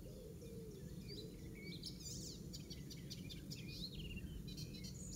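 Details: An Icterine warbler singing in a garden in Pieterburen, Netherlands, on 17 May 2022 gives a quick, varied jumble of high chirps and whistles, including piping mimicry of an Oystercatcher, over a steady low rumble.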